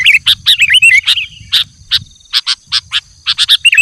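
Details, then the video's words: Sooty-headed bulbul calling wild bulbuls, opening with a rolling run of warbled whistled notes, followed by a series of short sharp chips at irregular intervals. "Suara Burung Kutilang Gacor Memanggil Kutilang Liar"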